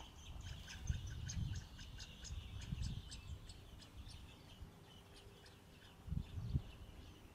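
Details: Thrush chicks in a nest at a dacha being fed by their mother. Thin high cheeps come in quick runs of short notes, fading midway, with low rustling and handling thumps beneath.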